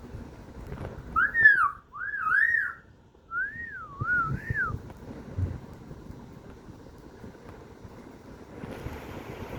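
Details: Pet myna whistling clear, tonal notes that wobble up and down in short wavy phrases, three bursts over about three seconds, followed by quiet rumbling background and a soft hiss at the end.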